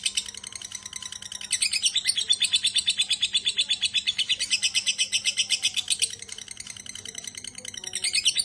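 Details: Drawn-out lovebird ngekek, a shrill, machine-gun chatter of buzzy notes that grows louder, holds, dips briefly, then rises once more, against a low background hum.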